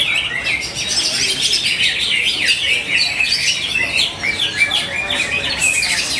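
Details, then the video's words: Greater green leafbird singing at a competition event in Bekasi, Indonesia: a dense, unbroken medley of piercing whistles, rapid chatter and down-slurred notes, with faint crowd noise underneath. "CUCAK HIJAU GACOR"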